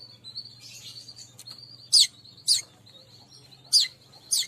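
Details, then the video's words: Weaver call used as a lure to attract all kinds of weavers: a thin, high, steady buzzy trill carries under four loud, sharp descending chirps in two close pairs, with a faint low hum behind. "suara pemanggil semua jenis burung manyar"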